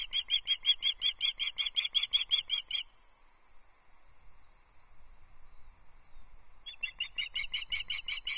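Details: Female osprey on her nest at Loch Arkaig, 14 July 2024, calling to her mate for fish, captured by a nest livestream camera. Rapid piercing whistled notes repeat nearly three per second in a burst of about three seconds, then resume after a quiet pause.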